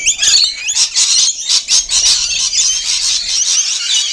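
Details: Feeding rainbow lorikeets keep up a dense, shrill chatter of overlapping screeches and squeals, high-pitched and harsh, with no break for the whole stretch.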